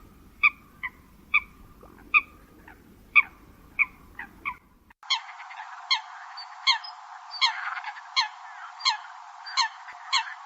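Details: Migratory xâm cầm bird giving sharp, spaced nasal notes about once a second over a low hum. The second half sounds thinner and brighter, with the same clipped calls continuing at a similar pace.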